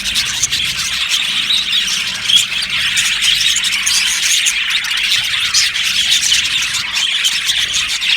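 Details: Massed budgerigars keep up an even, unbroken chirping chatter of thin, scratchy high notes, with no other sounds clearly heard.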